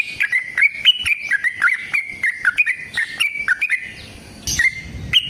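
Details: Trucukan, the yellow-vented bulbul, in energetic 'gacor' form: a fast string of short, slurred, bubbly notes wavering up and down. It fades out after about four seconds, then two more notes follow. Crisp clicks punctuate the phrase.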